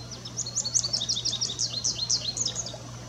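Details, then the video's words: An American goldfinch sings a rapid, high run of twittering notes and short rising slurs, bright and jumbled, over a steady low hum. "American Goldfinch singing"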